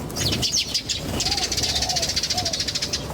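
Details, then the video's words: Birds chirping outdoors in nature: a fast, buzzy run of very high twittering notes pulses steadily throughout, while a few soft, low whistled slurs sound underneath. "The chirping of birds in nature is very relaxing"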